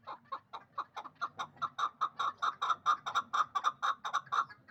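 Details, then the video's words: A two-year-old hybrid partridge from Dushanbe, bred for fighting and hunting, calls in a steady run of about twenty loud, clipped chuck notes, evenly paced at roughly four per second. "Кабки гибрид"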